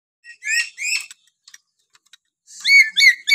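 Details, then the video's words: Lory from Papua whistling naturally: two bright, rich harmonic whistles, a pause with faint ticks, then a quick run of sharp, rising-falling whistled notes. "siulan alami burung nuri paltem papua"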